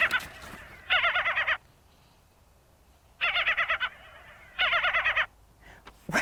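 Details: At Crystal Cove State Park, a Ring-billed Gull gives three bursts of harsh, rapid, dog-like barking notes, each under a second long and spaced a second or two apart, with quiet background between.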